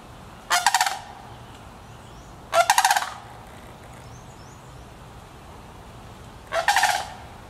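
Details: Sandhill cranes, a family group at Petoskey, Michigan, give three short rolling rattles spaced two to four seconds apart. Each call is a harsh, pulsed trill that fades quickly, with only soft background hiss between calls.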